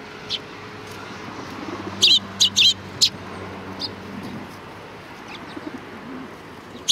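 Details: Feeding time for sparrows at a Tenmangu shrine on 25 April 2019: a quick burst of four bright, sharp chirps in about a second, then scattered faint tweets and one last loud chirp at the close, with a low hum beneath.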